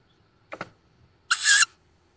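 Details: Recently fledged young tawny owl at a woodland nest near Szokolya, Hungary, 7 May 2022: a brief scratchy note, then a harsh, wheezy, hissing screech about a third of a second long, over a quiet background.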